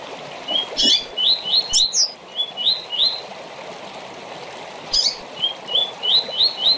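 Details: Short song of a double-collared seedeater meant for tournament training: two phrases of rapid, bright upslurred whistles, five or six notes each, with sharp high chirps and a steady stream-like hiss.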